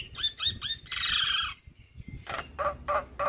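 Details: Javan myna in full voice, a master recording packed with fill-in phrases for daily playback: three quick upslurred whistles, then a harsh buzzy burst, a short thin whistle, and a run of four loud rasping squawks.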